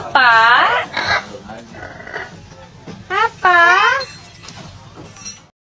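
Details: Pet black-capped lory singing and talking: loud, harmonically rich, wavering vocal phrases in two main bursts with quieter chattering between, plus faint clinking in the background.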